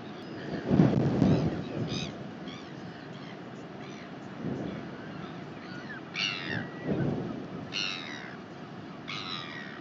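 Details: Northern royal albatross in New Zealand, recorded 19 January 2021: harsh low braying bursts near the start, middle and end, mixed with sharper rasping cackles repeated in short runs, over a constant rush of wind.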